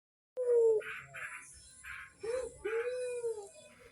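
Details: Barbary dove, a gacor (frequently calling) bird, used to stimulate other doves to call; one drawn-out low coo, a short pause, then two longer even coos, each edged with breathy rasping notes, in a quiet setting.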